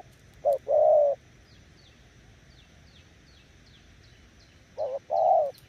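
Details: Decoy spotted dove giving two separated coo phrases, each a brief note followed by a drawn-out hollow coo. Faint thin downslurred chirps from other small birds fill the pause between them.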